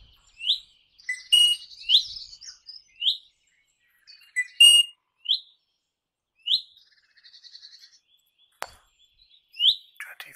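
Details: Crimson rosella, 21 May 2015, giving short sharp upslurred whistles roughly every second, mixed with bursts of scratchy chatter and a soft buzzy trill, one click near the end; otherwise quiet.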